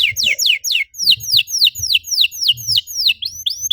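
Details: Canary singing as a lure to get other canaries singing: a steady series of clear, downslurred whistled notes, roughly three per second, over faint low thumping in the background.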